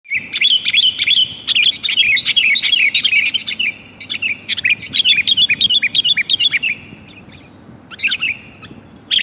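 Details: Female sooty-headed bulbul calling the male, used as a lure sound: dense bursts of quick, high chirping and twittering notes, many per second, in runs of a second or two separated by short pauses, with a faint low background hum.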